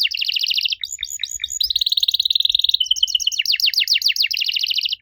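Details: Canary song used as a prompt to make young canaries answer: fast trilled phrases between 2 and 7k, rapid descending sweeps, a buzzy steady roll, then repeated slurred notes, continuous and loud.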